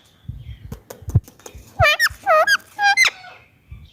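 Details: Captive Indian ringneck parakeet calling in its natural voice: several soft taps and clicks, then a burst of four loud, harsh squawks in about a second, ending with a sharp high squeak.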